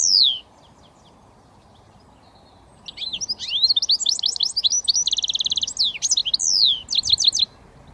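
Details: Goldfinch mule, a British finch hybrid, singing in switty style: a short high note, a pause, then a fast jumble of sharp chirps, twitters and a buzzy trill, with rapid repeated notes closing the phrase.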